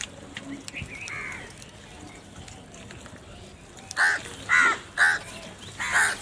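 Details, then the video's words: Crows squabbling over food: a quiet stretch with one faint early caw, then four loud harsh caws in quick succession over the last two seconds. "Crow Fight Video | crow love food | crow fighting scenes video | crow sounds naturally"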